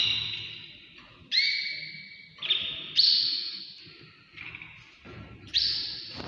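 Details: A canary sings in the early morning, a run of high, sustained trilled phrases, each starting abruptly and fading, with a strong echo behind them.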